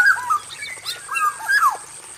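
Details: Caged male black-naped oriole in an aviary, lively and full of varied phrases: short liquid whistles dropping in pitch, repeated three times in quick bursts, over a constant faint high-pitched hiss.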